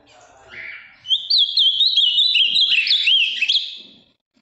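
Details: Ultramarine grosbeak (azulão) from Minas Gerais, a large, deep-blue male with a very firm song: a brief soft note, then a loud, continuous warbled phrase of rapid rising and falling whistles lasting about three seconds.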